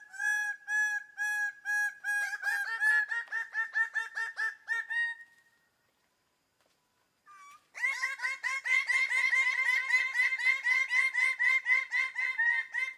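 Loud, nasal, ringing notes from a greater bird-of-paradise, given in quick repeated bursts of about two per second, with a brief pause midway.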